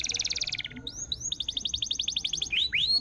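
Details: Canary song offered as a lure for canaries that stopped singing: a quick pulsed stutter, two rising swoops, a softer trill of short repeated notes, then upward sweeps over faint background noise.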